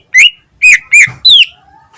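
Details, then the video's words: Greater green leafbird singing ngentrok-style as a lure for other birds; four loud, ringing whistled notes, the last sliding downward, then a faint thin tone trailing off. "Burung Cucak Ijo Gacor Ngentrok Bagus Buat Pancingan"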